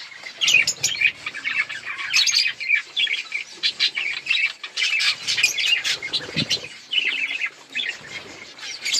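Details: Several budgerigars chirping while eating and playing: dense, continuous chatter of short buzzy and scratchy notes with quick whistled warbles, overlapping voices throughout.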